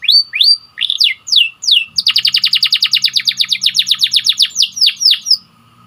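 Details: White canary singing for canary song training: several rising slurred whistles give way to a long, very rapid trill of repeated notes that slows into downslurs near the end.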